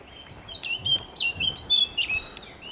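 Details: A blackcap's song recorded 27.05.2023, a brief, rapid string of clear, high whistled notes that jump up and down in pitch over under three seconds.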